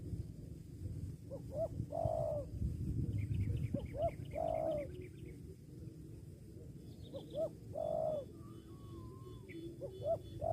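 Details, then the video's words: Spotted dove giving repeated phrases of quick short coos ending in a longer sustained hoot, four phrases in ten seconds; faint chirps from other small birds and a thin whistle in the background, over low rumbling noise. "suara tekukur"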